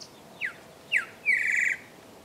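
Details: Greyish saltator singing in Esperanza, Santa Fe, Argentina, in 2023: two quick falling whistled slurs, then a longer rich, burry phrase held steady, over a quiet background.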